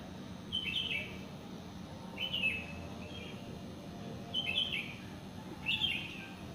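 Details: Bird singing in a residential complex just after the dawn prayer: short bright chirps in five separate bursts over about six seconds, set against a steady low background hum.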